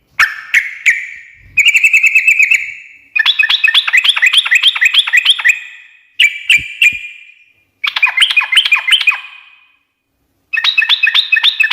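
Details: Yellow-vented bulbul, called trucukan, in gacor ngekek song to make other birds reply: sharp clicks, then repeated bursts of fast, harsh, even chattering separated by short gaps.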